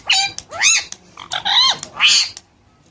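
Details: A very talkative parrot chirping: four loud, harsh, arching squawks with rich harmonics, each about a third of a second long, separated by short pauses and a few faint clicks.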